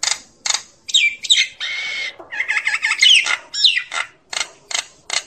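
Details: Common myna calling its flock: harsh, buzzy squawks and short rasping bursts mixed with a few clear whistled, rising and falling notes. The notes come in quick irregular runs with brief pauses between them.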